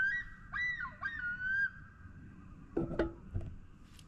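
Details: Common loons calling across a quiet Minnesota lake: three quick, wavering, slightly rising notes in under two seconds, followed by a few lower, rougher honking sounds.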